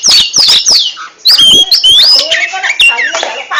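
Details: Oriental magpie-robin singing in the ngentrok style: loud, varied whistled phrases with sharp downward-sweeping notes and rising slurs, separated by short clicks and pauses.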